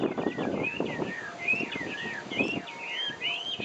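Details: Rich, fluty Taiwan hwamei song from Taiwan, where it is endemic: sweeping whistled slurs rising and falling in quick succession, with low-pitched background rumble throughout.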